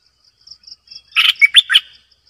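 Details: Decoy bulbul bursting into a loud, rollicking phrase of four rich notes after a few faint soft notes, with a light high pulsing hum behind.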